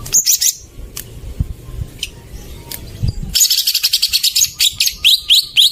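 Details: Greater green leafbird song played as a lure for birds that have stopped singing: high scratchy notes at the start, a quiet stretch, then a fast run of sharp repeated chattering notes and rising chirps.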